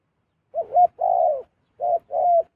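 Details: Zebra dove, a wild bird flying down to a good decoy bird; two low cooing phrases, each a short warbling note then a longer, steady, slightly rolling coo, roughly one second apart, with a quiet background.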